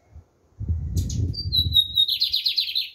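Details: Black bigodinho, a lined seedeater, giving a firm song: a thin descending whistle, then a rapid, scratchy pulsed trill lasting about a second. A steady low rumble runs underneath.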